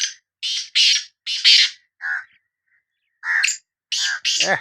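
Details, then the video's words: Sindhi black francolin giving its call, known locally as bulai or bular: a run of harsh, buzzy, broadband notes, partly broken up, with a short gap before more grating notes and a lower rasping ending. "Kala Teetar Bulai | Bular | Kala Teetar Voice | Black Frankoline Voice کالا تیتر کی آواز"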